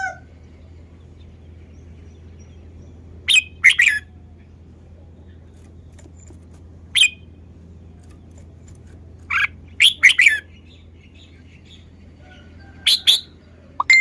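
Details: Red-whiskered bulbul showing its song style with scattered short bursts of two to four bright chirped notes, separated by long silent gaps, over a constant low hum.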